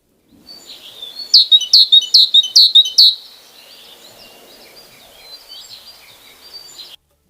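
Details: A small yellow-bellied tit sings five bright, ringing high notes in quick succession, about two per second, followed by softer thin twittering.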